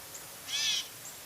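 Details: Gray catbird giving a single short, high, cat-like mewing note with a slurred, arching tone, preceded and followed by faint thin chirps in an otherwise quiet setting.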